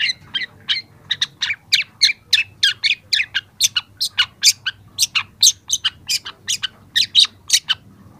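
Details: Young long-tailed shrike singing as a training recording: a rapid, continuous chatter of scratchy, squeaky high notes mixing harsh and whistled elements, several per second, loud and clear throughout.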